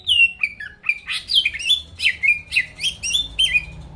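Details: Greater green leafbird singing to provoke rival birds: a varied, continuous sequence of sharp slurred whistles and squeaky chirps jumping between high and middle pitches, several notes each second.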